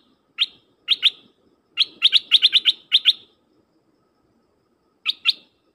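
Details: A dok taeng bird, a decoy bird played to call in wild birds, gives sharp, high chipping notes in quick bursts of two to five with short pauses between runs, over a faint low background hum.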